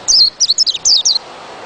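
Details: Quick white-eye phrase of several high, downward-slurring twitters run close together over about one second.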